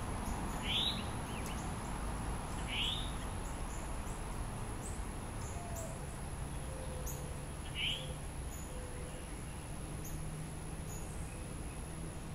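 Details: Northern cardinal male with a juvenile he is feeding, Diamondhead, Mississippi, July 2016; three short upswept notes in the first eight seconds, irregularly spaced, over low steady noise and faint thin tones.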